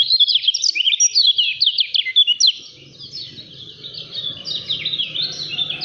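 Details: A Lemon-bellied white-eye from Lombok sings in quick, dense 'speed rapat fighter' fashion: loud, sharp, high chirps rattled off in a stream, softening briefly before resuming, with a low hum in the later part.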